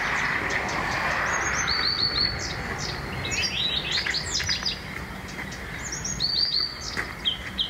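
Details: Blyth's reed warbler singing in a home town, a varied run of clear whistled and buzzy phrases, many high notes sliding up and down, repeated in quick bursts over steady background rumble.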